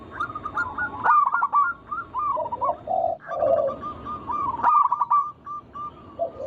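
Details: Zebra dove, local strain, singing to lure other doves: choppy stuttered notes and low bubbling coos, a brief gap, then another rapid rattling phrase trailing into a soft gurgle.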